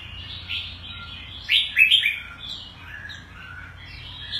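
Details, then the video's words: Oriental white-eye (Devil), a newly taken captive bird in Singapore, growing fast and very aggressive with good stamina, sings high, thin twittering notes with a quick burst of sweet chirps, including loud "chup" and "tiong aw buk" calls, over a faint low hum. "Devil the Oriental White Eye"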